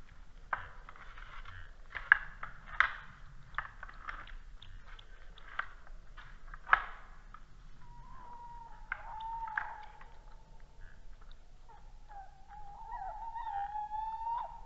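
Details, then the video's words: Male tawny owl at night (22:45), 19 January 2016, Estonia, on a red deer camera: a low, drawn-out hoot, then after a pause a long quavering hoo-oo-oo, after crunching and chewing noises. "sound male Tawny Owl"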